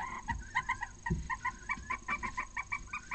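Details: A barn owl pair at copulation, with two eggs already laid, in Cabañeros National Park, Spain. Quick chittering twitters of short doubled notes repeat three or four times a second, with a few low thumps beneath.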